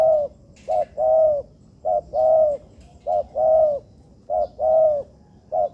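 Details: Spotted dove (tekukur), young birds being trained in a man-made yard, gives clipped introductory notes then a drawn-out steady coo, the phrase repeating regularly about four times, with a brief rustle near the start.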